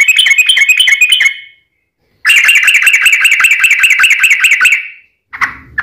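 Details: Yellow-vented bulbul giving a fighting song with long rolls, used as a lure to make other bulbuls sing: a rapid, ringing chatter of repeated wavering notes, one run over two seconds long, then a brief harsh note.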